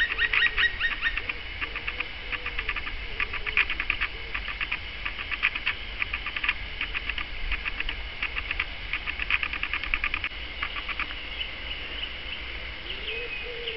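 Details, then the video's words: Black woodpecker (Dryocopus martius), Hungary, bird of old lowland and hill forests with old decaying poplars, calling in bursts of quick, harsh, clipped notes, several per second, pausing between series, with faint low background sounds. "Fekete harkály(Black woodpecker; Dryocopus martius)"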